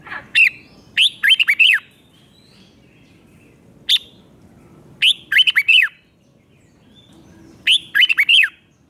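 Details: Red-whiskered bulbul in Thailand repeating its five-syllable song for young birds to learn: several bright, chattering phrases of four or five looping whistles, with a single lone note between them and short pauses.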